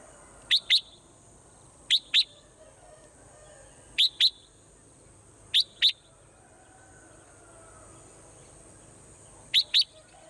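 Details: Morning calls of a swallow: short, sharp chirps given in close pairs, five pairs spaced irregularly over ten seconds, above a constant high-pitched electronic hum.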